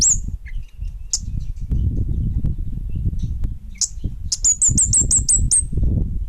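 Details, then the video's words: Prolific orange-headed thrush giving scattered high sharp notes, then a quick run of about eight thin downslurred chirps, over steady low rumbling background noise. "Suara Burung Kemade Bunga Api Gacor!!!"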